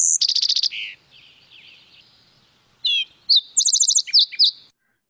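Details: Green-tailed towhee song from a second bird in the Lake Tahoe area: a fast burst of about eight high clipped notes, a lower slurred note, a quiet pause, then further sharp trilled note series and short whistles.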